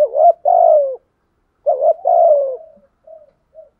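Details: Lure spotted dove giving two low cooing phrases, each a short note followed by a long downward-sliding coo, then two faint soft notes.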